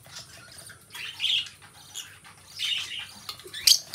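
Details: Two pet lovebirds twitter softly indoors, with scratchy high chatter swelling in short bursts. A few sharp squeaks come near the end.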